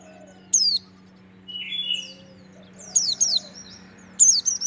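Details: A white-eye of the Merapi dakun type gives its song: quick, high, sweeping chirps in short bursts that fall and rise, over a steady low electrical hum.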